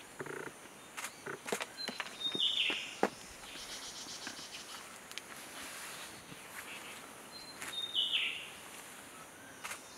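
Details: Short-tailed scimitar babbler, unhurried, giving a high, thin call twice about six seconds apart with a quick falling note, while orange-headed thrushes and other thrushes chase around nearby; insect buzzing, rustling and clicks in the background.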